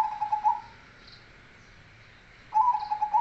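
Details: Bass-voiced zebra dove of the cemani kolbuntet type giving two rapid, pulsed cooing phrases separated by a quiet gap of almost two seconds, with steady low hiss behind.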